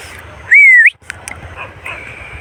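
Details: Male pet parrot vocalising: one loud, clear whistle holding level, then sweeping upward at the end, followed by a few sharp clicks and faint softer whistles over low background noise.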